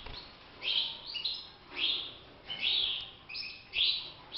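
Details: A European goldfinch bred in a cage sings bright, tinkling twittered phrases of about half a second, repeated roughly every second, high-pitched with quick liquid notes, over faint background hiss.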